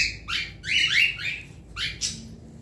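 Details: Captive cockatiel giving what is described as its mating call: a few loud, rasping, harmonic chirps that sweep up and then down, delivered in quick bursts with short pauses and a faint low hum behind.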